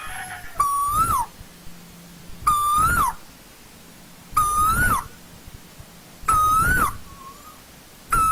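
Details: Asian koel calling in old-growth forest, five strong whistled notes evenly spaced about every two seconds, each swelling slightly upward before falling away, with a quiet low hum underneath.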